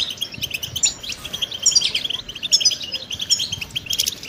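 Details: Goldfinch training song with quick twittering bursts, liquid chirps and a few buzzy accents, phrases loosely repeating over a faint low background.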